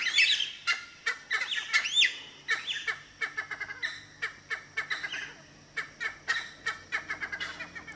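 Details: Male Cheer pheasant calling in his territory at Manila, Uttarakhand, near Corbett Tiger Reserve: harsh, squawking calls with sharp upslurred notes, repeated in quick irregular bursts over about eight seconds.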